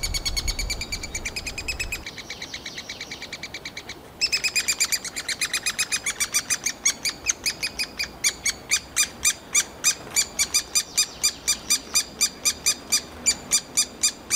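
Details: Eurasian three-toed woodpecker chicks in a nest cavity in summer beg almost nonstop as the parents bring insects, taking turns: a rapid stream of harsh, high chirps, several per second, louder and more insistent once feeding begins.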